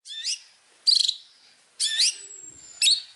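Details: Long-tailed shrike tutor song for training other birds, with fill-in phrases. Four short harsh, high bursts of chattering notes sound about once per second, separated by quiet gaps, with one long thin whistle between the last two.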